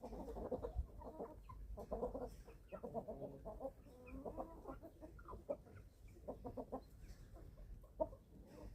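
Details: Eleven-week-old chicks at feeding time on a small family farm in Germany, a dense flock chorus of soft, low clucks and short murmured notes overlapping throughout, with brief louder bursts near the start and end.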